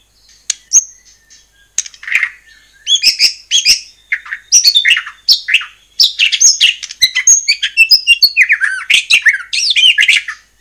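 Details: White-rumped shama in full song, played to provoke other shamas to answer: loud varied phrases of sweeping whistles, harsh chatters and swooping notes, growing denser and more continuous through the second half.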